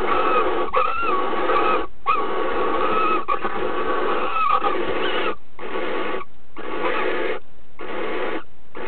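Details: Female barn owl accepting a mouse as a bridal gift from the male, then mating while holding the mouse in her bill. Long harsh hissing bursts, some over a second, run almost without pause, then shorten into clipped hisses near the end.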